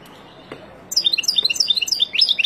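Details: Goldfinch captured in the wild, singing as a model for chicks: after a soft tap and brief quiet, a lively cascade of quick, high, liquid twitters runs steadily to the end.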